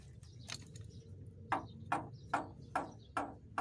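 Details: Javan myna giving short harsh clipped notes in a regular series, roughly every 0.4 seconds, over a low steady hum.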